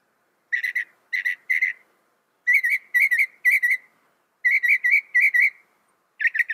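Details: Northern mockingbird copying other birds with whistled notes grouped in threes and fours, each group repeated after a short pause, the notes steady and mid-pitched, against a silent background.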